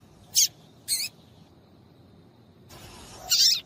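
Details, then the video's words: Female papa-capim seedeater calling to stir males into singing for song tournaments: two short, sharp, high chips about half a second apart, then a rustling noise and a louder, longer burst near the end. "MELHOR PIADO DE FÊMEA DE PAPA CAPIM PARA DEIXAR SEU PAPA-CAPIM DOIDO PARA CANTAR LOGO!"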